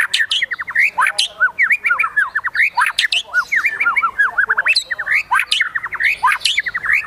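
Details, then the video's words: White-rumped shama in high excitement, a singing bird in fine style: fast, varied song of sweeping whistles and rising slurred notes delivered in dense rapid bursts, with sharp high accents. "MURAI BATU GACOR EMOSI TINGGI NEMBAK ISIAN GAYA MEWAH"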